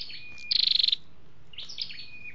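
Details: Red-whiskered bulbul recording containing male and female calls, used to stimulate caged birds or lure wild birds for trapping; a fast buzzy trill of about ten high pulses, framed by thin high whistled and chirping notes.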